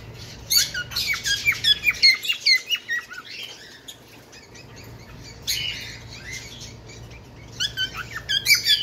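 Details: Bengalese finch delivering bursts of quick mixed chirps and falling notes, separated by a quiet pause, with another burst at the end.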